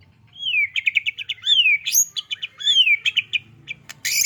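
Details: White-rumped shama, a small bird in lively song: slurred downward whistles each followed by rapid stuttering notes, repeated, ending with a harsh burst.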